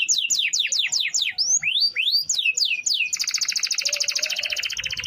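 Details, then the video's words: Canary with long-rolling song as training audio for other birds: a run of steeply falling whistled notes, some rising slurs, then a fast dense trill from about three seconds on. "Suara Kenari Gacor Ngerol Panjang – Cocok Buat Masteran Harian!"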